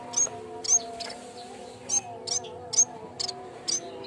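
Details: Training and lure sound of a yellow-bellied warbler: quick sequence of thin, high, clipped chips roughly twice a second, a few in doubled pairs, over low steady tones.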